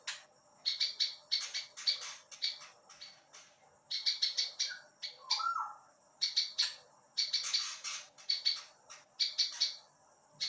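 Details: Prinia song meant for training other songbirds: long series of shrill, high chirps in tight clusters, with one brief lower note midway.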